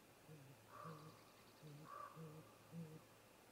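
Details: Great grey owl pair at the snag-tree nest in late afternoon daylight, 18:58 MDT: low muffled hoots spaced about half a second apart, with two brief higher tonal notes over them.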